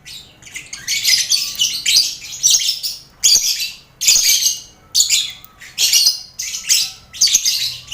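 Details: Lovebirds in a crowded colony enclosure alongside finches and quail, used to build contest birds' confidence; rhythmic harsh chirping bursts repeat roughly once a second in a steady run.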